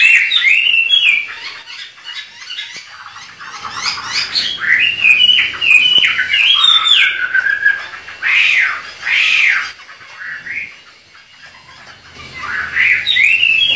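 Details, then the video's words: Chinese hwamei duet, two birds singing hard. Bursts of varied whistles and harsh, scratchy notes are separated by short pauses. A quieter stretch follows before the song resumes loudly at the end. "DUET MAUT BURUNG HWA MEI GACOR"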